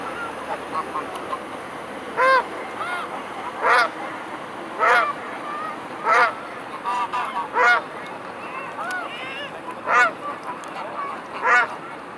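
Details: Many mute swans together at Blaues Wunder on a May evening, 22 May 2016, 19:25: brief nasal honks repeated roughly every one to two seconds, about ten in all, with softer distant calls under constant broadband hiss.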